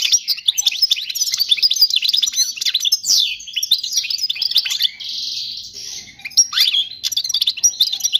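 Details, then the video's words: Goldfinch song intended to train young birds, a long unbroken stream of fast twittering chirps with a brief buzzy, nasal passage midway and rising sweeps. "تغريد الحسون الملكي خالي من الاخطاء لتعليم الفراخ"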